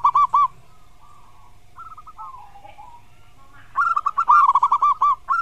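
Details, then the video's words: Loud local zebra dove with a firm voice: a burst of rapid cooing notes, a softer rolling stretch in the middle, then a long run of quick repeated coos near the end. "Suara Burung Perkutut Lokal KERAS"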